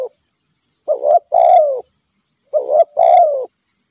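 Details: Wild spotted dove, the aggressive kind drawn down by a decoy bird during trapping, gives low hollow coos in paired phrases, a short note then a longer falling one, repeated about every one and a half seconds.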